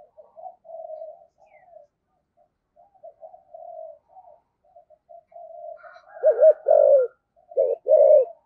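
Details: Lure spotted dove, thổ sấm style: soft low murmured cooing for several seconds, then two loud deep phrases of a double coo and a long rolling coo near the end.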